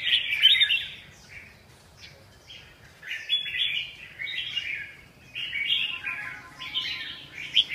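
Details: Red-whiskered bulbul delivering bursts of harsh, jumbled chattering phrases separated by short silent gaps, several bursts in quick succession over a faint background hum.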